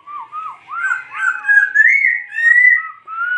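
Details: Laughingthrush pouring out an unbroken, mellow whistled warble, looping up and down before ending in a long, even note.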